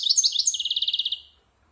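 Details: European goldfinch over a year old practising its song for silvestrismo: a few sweeping chirps lead into a steady pulsed trill that ends abruptly, followed by quiet.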